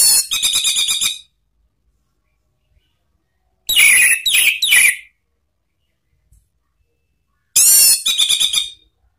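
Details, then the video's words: Orange-headed thrush in the ngeplong style, used to lure and train cage birds: three loud separated bursts of rapid, harsh, rattling high notes, each about a second long, with silence between. "memancing ANIS MERAH BUNYI NGEPLONG ¦ PANCINGAN KICAUAN ¦ NGERIWIK"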